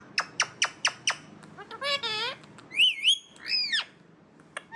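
An Alexandrine parakeet gives a quick run of harsh squawks, then warbling, wavering notes.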